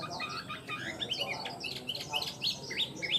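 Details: Tame Chinese hwamei giving a quick, chattering song of short, high, varied chirps and twisting whistles that follow one another rapidly.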